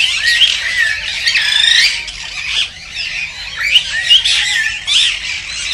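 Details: Cockatiel song for breeding stimulation: thick, overlapping squawky chatter and looping whistles, loud and unbroken, swelling and fading in waves.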